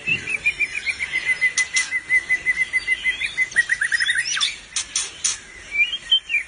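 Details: White-rumped shama (murai batu) with unusual albino or pied plumage, singing steadily: a long series of quick, evenly repeated whistled notes at one pitch, then sharp higher chips and a rising phrase, over a steady hiss.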